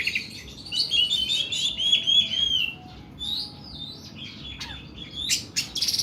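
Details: Oriental magpie-robin (kacer) in long, harsh 'nembak' song: a sustained warbling, whistled passage, then sweeping slurred notes and sharp buzzy bursts.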